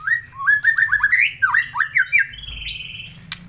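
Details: An Aceh white-rumped shama in lively song delivers a quick series of rising, slurred whistles, each a fraction of a second long, that end in a longer, higher, steady note.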